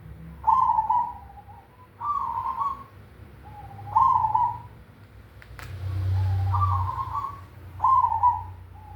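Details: Cemani zebra dove giving its big kung song: five rolling, slightly trilled coos spaced about two seconds apart, each starting sharply and fading, with a low rumble and one click in the gap.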